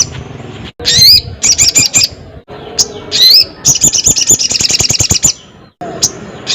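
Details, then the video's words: Crested jay in full voice: several rising whistled upslurs and short rattles, building into one long rapid pulsed rattle, then a pause. "SUARA BURUNG SOGON GACOR KERAS"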